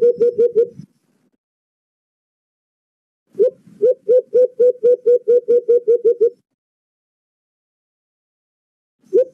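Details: White-eared brown dove, locally alimokon, in a recording used as a trapping lure: a quick burst of five low hoots, a pause, then a longer even run of about thirteen hollow notes, with one more note starting at the end.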